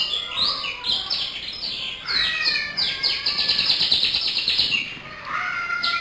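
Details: Lively local canary in full, energetic song: dense runs of bright, high chirps and fast trills, with sweeping whistled notes that rise and fall, continuous through most of the recording and briefly pausing near the end.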